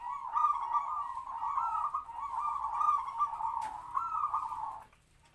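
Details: Local captive-bred zebra dove kept as a decoy to lure wild doves, with a medium-pitched kwor kwor voice, in a small open cage. It gives one long, rolling, bubbly cooing phrase of about five seconds, steady in pitch, then silence.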